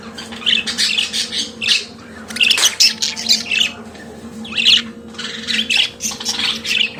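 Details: Pet budgerigar singing in a small room, a busy run of scratchy, high chattering notes in quick bursts, with a steady electrical hum underneath.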